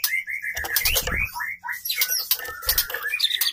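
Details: White-rumped shama female calling to arouse males; rapid chattering whistles and slurred notes overlaid by heavy scraping and rustling noise.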